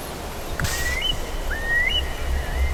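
A Eurasian curlew gives two clear, rising whistled calls about a second apart, each sweeping upward at the end, over a steady low rumble of wind.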